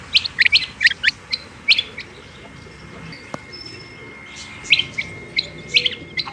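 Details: Female rain quail calling: bursts of short, sharp, high chirps in quick clusters, a quiet pause mid-way, then more clipped chirps; a faint steady hum runs underneath.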